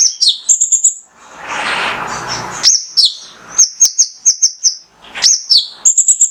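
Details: Singing male mangrove whistler, a lure for caged birds: quick clusters of high, ringing whistled notes, broken by a second-long rushing noise, then resuming in rapid repeated series.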